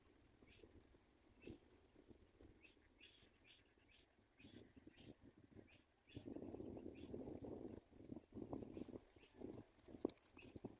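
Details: Abandoned black-winged kite chick giving brief high-pitched squeaks, repeated irregularly throughout, then partly masked by a burst of loud low rustling and handling noise midway.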